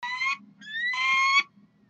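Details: Two harsh, strained cries from University of Calgary peregrine falcons begging for food on a June Saturday morning in 2012, the second longer and steady, separated by a brief rising squeal.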